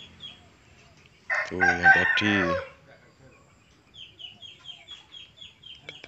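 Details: Hen crowing: a loud, rough, stacked-harmonic crow lasting about a second and a half, broken into two strained parts, then faint quick chirps of small birds repeating afterward.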